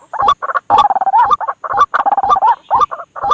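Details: White-breasted waterhen call used as a night trapping lure: bursts of gruff, rapidly repeated clucks and croaks separated by short pauses, with sharp clicking ticks between phrases.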